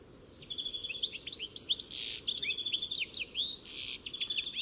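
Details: Goldfinch song made of liquid, tinkling notes and short rising twitters, broken twice by harsher wheezy bursts, delivered in a rapid continuous stream.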